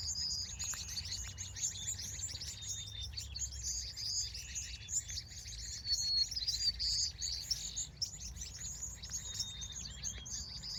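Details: California sunset birds calling in the evening, a steady stream of sharp high chirps with a few longer whistled notes mid-way, background quiet apart from faint low noise.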